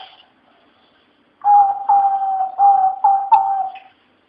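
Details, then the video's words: A Eurasian collared dove sings in the Patio de los Filósofos of the Renaissance-style university at Alcalá de Henares, an urban setting. It gives a low, steady purring coo in about five rolled phrases over two and a half seconds, and the setting is otherwise quiet. "Que hermos es estas tortolas, es lo mas lindo que he visto vea su canto"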